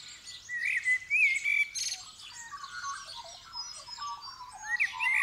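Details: Dawn chorus recording, 8 December 2019, sky just growing light, Superlux 524D stereo mic: a common blackbird gives mellow rising whistles and fluted warbles, set among dense high-pitched chirping from many other birds.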